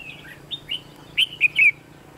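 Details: Red-whiskered bulbul used as a decoy in a trapping contest, giving a short phrase of bright whistled notes, rising and falling, ending in three loud clear syllables; faint low hum underneath.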